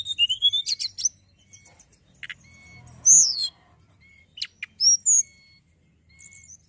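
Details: Hill prinia singing for young cage birds: a rapid chattering phrase, scattered thin whistles, then a loud rising-and-falling whistled burst and a few bright slurred notes.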